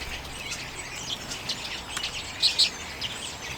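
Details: Common redpolls taking sunflower seeds in late January 2022 give sparse high chirps, followed by a brief pair of louder, clear notes before the end.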